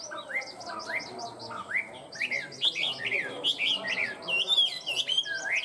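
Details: Tame caged Chinese hwamei delivering a lively song of up-slurred whistles that builds into denser, higher warbled flourishes and fast trills.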